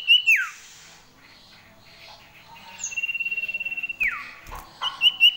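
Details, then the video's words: Common iora in varied, full song with imitated fill phrases: a high whistle sliding steeply down, a long, even, sustained whistle held for over a second with a fast trill beneath, another falling slur, then short bright whistles. "cipoh gacor variasi full isian"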